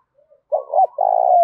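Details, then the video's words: Spotted dove, a 'bổi' bird in 'thúc đấu' contest calling with 'thổ pha đồng' voice. A single low phrase: a rising double hoot, then a long, even, hollow coo held to the end. "Tiếng chim cu gáy thúc Đấu cực gắt giọng thổ pha đồng bổi"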